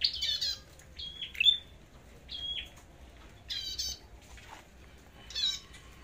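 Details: Red-headed flowerpecker's fighting song, recorded while checking the bird's condition before a forest outing: sparse high chirps and brief flat whistles, spaced with pauses, plus a few rattly buzzy notes.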